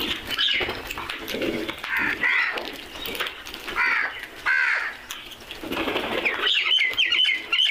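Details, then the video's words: Crows calling amid other birds: harsh, hoarse caws with stacked tones come in short bursts roughly every second or two, mixed with thinner chirps and a run of quick high twittering near the end. "Crows are crowing and making noise"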